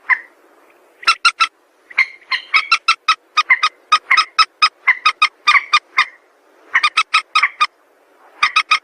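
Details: Rapid, grating notes of a white-breasted waterhen, used as a lure for trapping, run almost continuously in rhythmic groups, loud and clipped, after a softer opening note.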